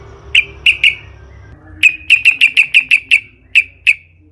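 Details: Sooty-headed bulbul sound meant to lure other bulbuls into singing: sharp, clear single notes, three spaced at first, then a quick run of about ten, over a faint low hum.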